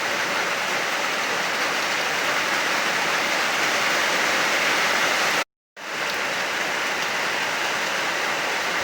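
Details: Dense hiss like rain or a waterfall fills the recording, broken by a sudden half-second silent gap, and no animal voice.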